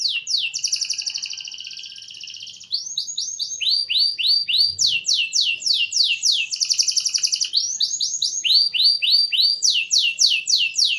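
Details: Canary singing a rich, varied training song: long buzzy trills alternate with fast runs of sweeping whistled notes repeated several times a second, loud and continuous.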